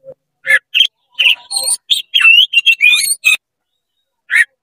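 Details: Oriental magpie-robin singing to provoke other magpie-robins: a fast, varied burst of sharp chirps, clear whistles and rising slurred notes packed into about three seconds, then a brief pause before one more note.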